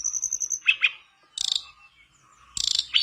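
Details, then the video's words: Mangrove blue flycatcher song meant to coax another mangrove blue flycatcher into singing: a steady high whistled trill, two lower burry notes, then two bursts of dense rapid chatter separated by quiet gaps. "Pancingan burung tledekan bakau gacor biar sikatan bakau macet ikutan gacor"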